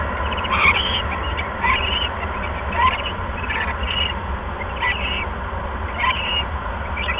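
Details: Owl at a live camera site before dawn, 5:16 AM on 26 January 2015, calling while visiting for bonding; harsh, raspy chittering bursts repeated roughly every second, with a steady low hum underneath.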